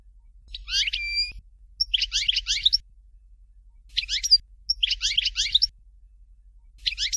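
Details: Dalya-style "Fort de L'eau" song of a European goldfinch: repeated bursts of clear twittering notes about every second or so, one phrase finishing with a level whistle, separated by short silent gaps.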